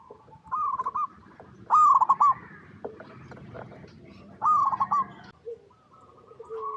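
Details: Zebra dove of local type in active song: a soft rolling coo, then two loud stuttered coo phrases about two and a half seconds apart, with quieter coos and faint background noise between.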